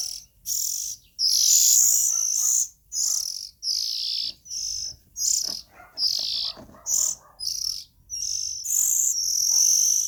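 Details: Oriental magpie-robin chicks give a rapid series of short, breathy, shrill hisses, some clipped and some drawn out, ending in a longer rasp.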